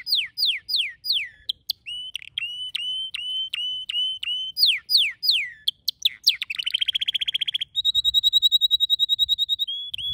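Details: Canary song varied across phrases: falling sweeps, a series of short whistled notes, more steep downward sweeps, then a fast buzzy trill and a slightly higher, cleaner trill.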